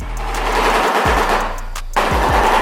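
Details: Shoebill, a bird of African freshwater swamps and marshes, clattering its bill as a greeting between shoebills, in fast, hollow, machine-gun-like bursts broken by brief pauses, over a steady background hiss.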